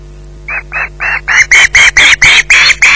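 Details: Screeching osprey at Loch Garten holding a fish on the nest after a 20:33 delivery. Nine harsh calls repeat about four times a second, building from softer to loud and raspy, over a low electrical hum.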